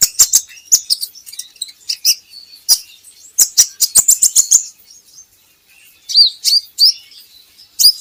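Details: Purple-throated sunbird song used as a training recording to get captive birds singing: rapid bursts of high, sharp ticking chirps and thin twittering notes in quick clusters, separated by brief pauses.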